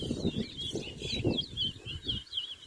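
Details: Towa towa (seed finch) singing in a towa towa bird race, a singing competition, at Anna Regina park in Essequibo, Guyana; rapid high warbled whistles run on continuously while a low murmur of voices and people counting fill the background.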